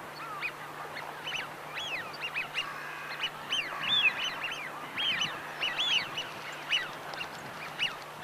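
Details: A flock of Eurasian wigeon, a winter visitor, gives clear, high whistles that rise and fall, overlapping several times a second, over a steady low mechanical hum.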